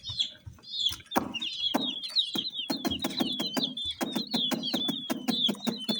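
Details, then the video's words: Colour chicks keep up high, downslurred peeping while rapid sharp knocking clicks, like pecking on a hard surface, repeat many times per second behind them. "Chicks Chirping"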